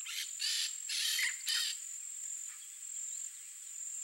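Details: Peach-fronted parakeet calling: harsh, buzzy screeches in three or four broad bursts over the first second and a half, then quieter. A steady high insect whine runs throughout.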